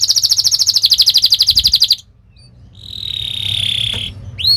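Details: Fast canary training song meant to make young birds roll: two seconds of rapid high buzzy trilling, a brief silence, then a long steady whistled tone and a final rising note.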